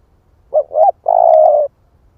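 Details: One cooing phrase from a split-breast spotted dove used as a trapping lure: two short swelling notes followed by a drawn-out, even, husky coo, with quiet surroundings.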